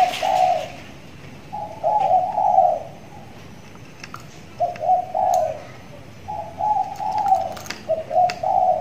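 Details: Spotted dove, a six-month-old trained young bird kept tethered in a cage and just starting to call often, giving low, soft coo phrases. Each has several notes, repeated roughly every one and a half to two seconds, with faint clicks behind.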